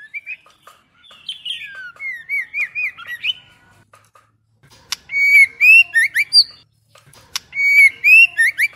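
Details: Female White-rumped shama singing to provoke males: varied whistled phrases of looping, upslurred notes, repeated in groups of four to six with short silent gaps.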